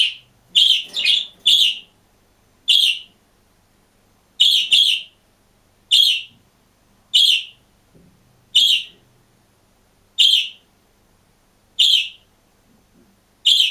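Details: Green budgerigar alone in a cage giving a series of short, identical high chirps, singly or in quick pairs, repeated roughly every second with silence between them.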